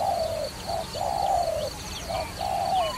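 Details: Deep, smooth coos from a dove used in trapping. Long sliding notes alternate with shorter ones in a loose repeating rhythm. Faint high twitters from other birds are heard behind.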